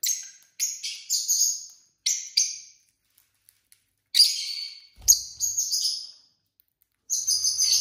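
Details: Several pet lovebird couples at dinner time, chirping in repeated short bursts of high, raspy, down-slurred notes, grouped in twos and threes with pauses between, plus a faint thump.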